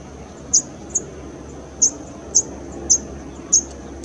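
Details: A male northern red bishop (Euplectes franciscanus) calls at San Joaquin Wildlife Sanctuary, Irvine, California, in June–August 2016, giving thin, very high, sharp chips spaced unevenly about every half second over a faint low hum.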